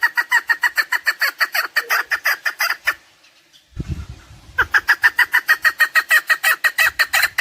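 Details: Rapid, rhythmic chuk-chuk calls from a chukar partridge, recorded for hunting. The series breaks off near three seconds, a dull low thump follows, then the loud pulsing notes resume.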